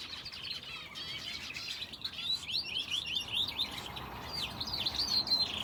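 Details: Caged finches in an aviary with a canary, a mass of thin high chirps that builds into clearer, louder warbled notes and trills toward the end.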